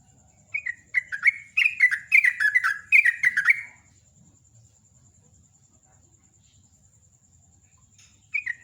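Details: Sooty-headed bulbul singing in the morning: a vigorous burst of bubbly, chirpy notes that slur downward, delivered rapidly for about three seconds. Quiet follows until a single note at the end, over a faint steady high hum.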